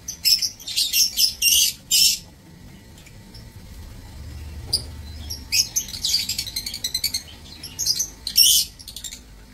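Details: Lovebirds housed in an aviary for breeding, recorded 15 April 2024, utter bursts of sharp, high-pitched chirps, a quiet stretch, then more rapid squeaky chatter.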